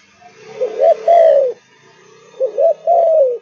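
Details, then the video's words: Kept spotted dove of Malaysian strain, two mellow cooing phrases with rolled openings and a long falling final note, over a constant hissing background hum. "Cu Gáy Malaysia Căng Lửa, Chơi Từ Sáng Tới Tối"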